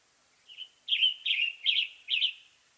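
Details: A western tanager, western North America, sings a quiet introductory note followed by four hoarse, robin-like burry phrases in a steady, evenly spaced run; light background hiss.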